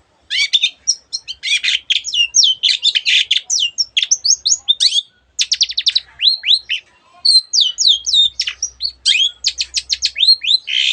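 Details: Long-tailed shrike pouring out a rich, nonstop song full of other birds' sounds: scratchy chatter, trills and quick slurred whistles, barely pausing over eleven seconds.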